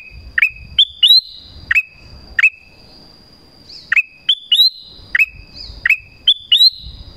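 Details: Black-crested bulbul call meant to lure wild birds: lively whistled phrases of two to four rising notes, repeated in two bouts with a short gap, over a faint steady high tone and low rumble.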